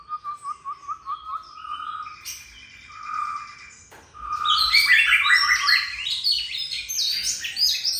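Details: Caged oriental magpie-robin at home: a fast run of repeated clipped whistles, a pause with a few soft notes, then a loud, rich burst of high varied warbling and chatter.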